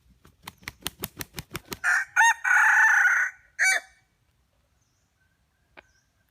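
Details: A run of quick clicking taps leads into a rooster's crow: two short notes, a long strained middle note and a quick final one, then near silence.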